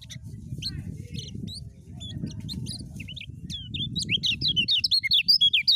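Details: Kecial kuning, the lemon-bellied white-eye of Lombok, singing ngejos style: scattered high chirps over a steady low rumble build into a rapid run of sharp, evenly spaced whistled notes at the end.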